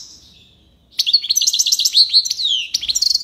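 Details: European goldfinch of the tiwawati singing style from Algiers: after a short faint note, a rapid run of bright twittering and tinkling notes, with buzzy slurs and quick repeated chips.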